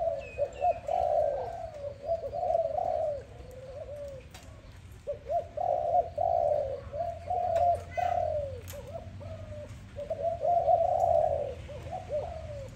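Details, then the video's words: Dove heard in the morning giving bursts of low, throaty coos, separated by brief pauses near the middle and later; a few faint higher chirps sound early on. "Dove lovely sound -morning sound of dove"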